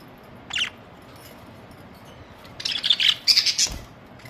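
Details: Pet budgies during summer heat of about 50 degrees: one sharp chirp, a pause, then a rapid run of high, bright chirping notes.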